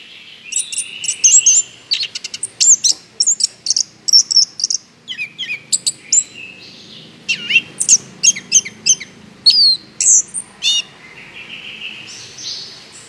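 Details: Orange-headed thrush song used as a lure to prompt other birds to sing: rapid sequences of high sharp notes and varied whistled and warbled phrases, dense and energetic throughout.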